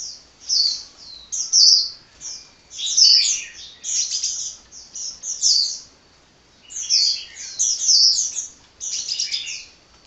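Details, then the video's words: Sunbird in nonstop song, delivering short bursts of sharp, high twittering notes about every second or two with irregular timing and a brief gap near six seconds. "Kicau Burung Kolibri Ngocehnya Ngedyan Ra Leren Leren"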